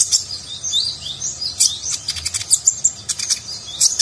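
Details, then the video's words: Kolibri ninja sunbird in full, busy Nagen-style song, a training song for contest birds: a continuous tangle of very high twittering and warbling, broken by rapid sharp ticking notes toward the end. "Konin Gacor Isian Mewah Gaya Nagen"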